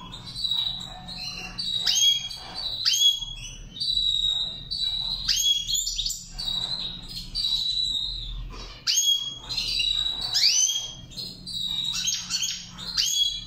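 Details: Goldfinch in training singing a long lively twittering song, high liquid chirps, sliding down-notes and short buzzy trills strung together almost nonstop, with a brief lull midway and a faint low hum underneath.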